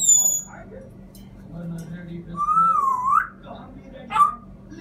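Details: African grey parrot whistling indoors: a long wavering whistle that rises and falls, then a sharp upward-sweeping whistle, over a quiet low hum and soft mumbled sounds.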